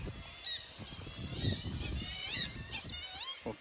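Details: Many Black-legged Kittiwakes squawk at once in a busy cliff colony at Fowlsheugh Nature Reserve, Crawton, near Stonehaven, Scotland: harsh overlapping nasal calls with rising and falling notes, over wind and a person speaking.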